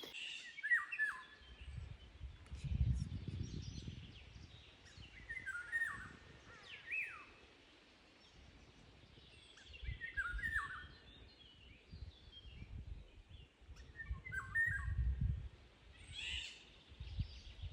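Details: About six Eurasian golden orioles, recorded at very close range by phone on 14.06.2026, give harsh, scratchy calls that slur downward, repeated irregularly.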